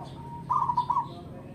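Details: One brief rolling coo phrase from a mature local zebra dove, wild-caught and kept for decades: a faint lead-in tone, then several fast bubbling pulses, with low background hum.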